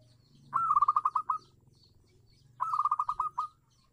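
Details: Local zebra dove song used as a lure to make silent doves sing: two rapid, stuttering phrases of short bubbling coos, each about a second long and two seconds apart, over a quiet low hum.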